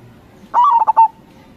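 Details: A single cooing phrase from a local zebra dove in crossing style, used as a lure: a rising opening note, then three or four pulsed coos ending on a longer note, with little else heard.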